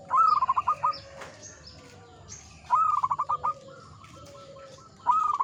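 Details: Three rolling, bubbling coo phrases from an old local zebra dove, each a quick run of evenly pulsed notes about two seconds apart. Faint high chirps from other birds and a low hum sit in the background.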